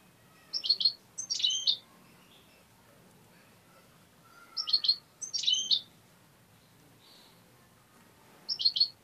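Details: Pet European goldfinch, tame and hand-reared, giving paired bursts of bright twittering notes roughly every four seconds over low room noise.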